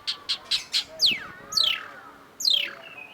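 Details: Cendet (long-tailed shrike) master-song recording: four quick, bright chirps, then three loud squealing notes that slide steeply downward, the last ending in a thin rising whistle.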